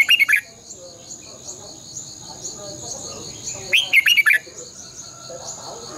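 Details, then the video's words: Red-whiskered bulbul decoy song in the long twisted double-voice style, meant for training caged birds: two vigorous warbled phrases several seconds apart, each a quick cluster of slurred whistles, over a high insect drone. "luyện chào mào hót sáng 2020 - Giọng kép xoắn dài Quá hay hót căng lửa"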